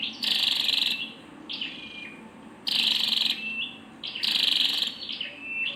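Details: Rasping, buzzy bursts from a female Scarlet-backed flowerpecker, roughly every one and a half seconds, interspersed with brief high twittering notes over a quiet background.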